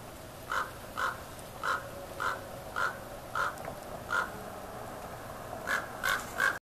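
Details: A common raven in Palm Springs, California, gives about eleven short, hoarse croaks, evenly spaced roughly every half second and slightly quicker toward the end, in conversation with another raven, over faint background hiss.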